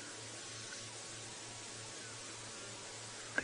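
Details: Steady broadband hiss with a low hum, ending in a brief click or knock; no animal calls are heard.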